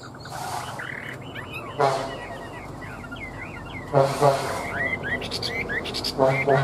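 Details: A caged Chinese Hwamei with a fanned tail flicks its tail as it sings a rapid, varied run of clear whistled and slurred mid to high notes, its voice called excellent; a man's voice breaks in briefly several times.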